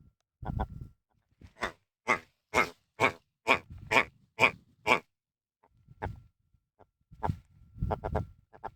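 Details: Close view of a territorial wild red grouse above the Snake Pass on Kinder Scout, Peak District, UK: low croaks lead into eight loud, harsh, evenly spaced notes about every half second, then more low grunting croaks.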